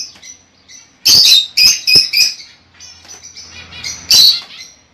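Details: Lovebird chirping to stimulate a female to lay eggs: quiet high notes, then a cluster of loud, harsh chirps, a softer stretch with a faint low hum, and one final loud chirp.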